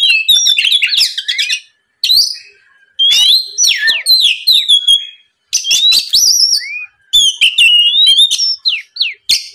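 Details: An Oriental magpie-robin sings bright whistled and slurred notes mixed with harsh chatter, in bursts of two to three seconds separated by brief silences, played to provoke a rival.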